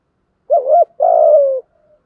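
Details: A single spotted dove coo from a male and female pair cooing to stimulate other doves: a short wobbling low note, a brief break, then a long, slightly descending coo trailing into a faint soft tail.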